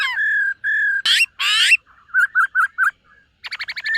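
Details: Black-throated laughingthrush singing and displaying during morning voice practice: long level whistles, then two loud harsh rasping bursts, a run of four short whistled notes, and a fast stuttering series of clipped notes ending in a whistle.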